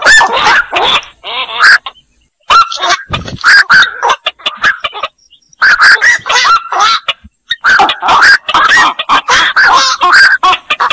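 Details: Black-crowned night heron in noisy, busy calling: dense runs of harsh squawks and clucking croaks, broken by two short silences.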